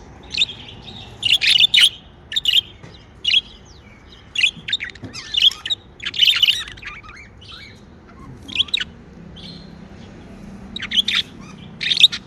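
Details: Happy pet budgerigars chatter steadily, with repeated high, buzzy chirps and squeaky warbles in quick bursts throughout, short pauses between clusters.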